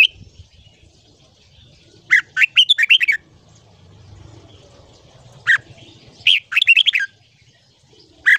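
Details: Ché-style morning song of a red-whiskered bulbul for training young birds to sing long phrases; two quick tumbling bursts of bright notes separated by a quiet pause, plus isolated single notes, in a calm setting.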